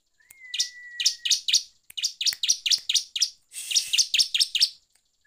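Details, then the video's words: Bar-winged prinia in full, free-flowing song, played as a lure to provoke other prinias: a fast series of about fourteen harsh, buzzy chirps, with a thin steady whistle held underneath at the start. "PANCINGAN CIBLEK GACOR NGEPLONG BIKIN EMOSI"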